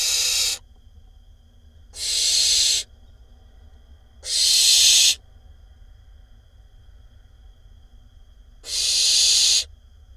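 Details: Nestling barn owl in an Israeli nest box on 20 May 2021, one of several siblings, making noise in the nest: four loud rasping hisses under a second each, spaced roughly two seconds apart with a longer pause before the last.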